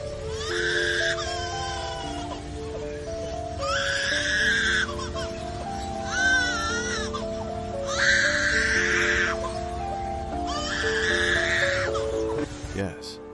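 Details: A superb lyrebird, an Australian mimic, imitates a crying baby in four wavering, wailing bursts about two seconds apart, over steady background music.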